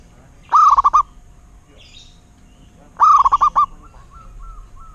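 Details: Zebra dove, a local perkutut, giving two rolling phrases of quick pulsed coos about two and a half seconds apart, followed by soft repeated whistled notes and faint background bird chatter.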